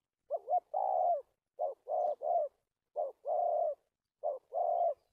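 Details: Spotted dove decoy used for trapping, dated 1/3/19, giving a stuttering 'cà lăm' coo with two or three opening notes: short wavering notes, then a long steady coo, repeated in four bursts with quiet gaps.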